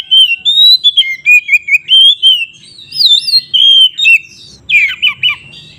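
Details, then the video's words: Oriental magpie-robin in energetic fighting-style song used to make rival magpie-robins emotional. Clear warbled whistles undulate steadily, and the song ends in a harsher, scratchy burst of falling notes. "suara BURUNG Kacer GACOR ngeplong KONSLET Tarung ini Paling Ampuh untuk PANCINGAN KACER agar EMOSI"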